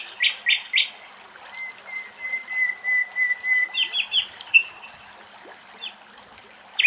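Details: A Common Nightingale sings varied, rich phrases in a wetland at Axios Delta National Park, Thessaloniki, Greece: a long, pure, swelling whistle held about two seconds, then quick chirps, rattles and high twittering notes.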